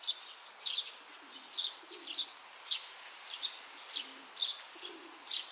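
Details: A cute young Oriental greenfinch searching for food in grass on 31 May 2023 gives a steady series of short, high, thin chirps, about two a second, with faint low murmurs in the background.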